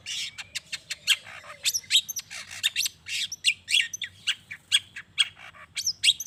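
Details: Long-tailed shrike singing energetically to stir other shrikes to answer: a fast, busy chatter of short sharp high notes and scratchy bursts, packed closely together with hardly a pause.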